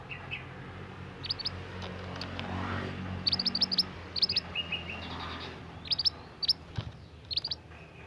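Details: Active song of a young wild scarlet minivet in forest: clear, high, sharp whistles in quick clusters of two to four, with softer lower chirps between and low ambient rumble.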